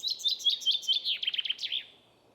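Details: A common chaffinch gives its brisk forest-keeper song, sung from the first half of April to early July. A quick series of sharp, bright notes speeds into a descending trill and closes with an upward flick.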